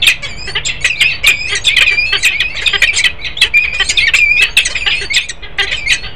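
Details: Peregrine falcon pair, male and female, in Harrisburg, Pennsylvania, on 10 December 2020, giving a dense run of harsh, grating squawks in quick succession, loud and continuous with brief pauses, faint background hum.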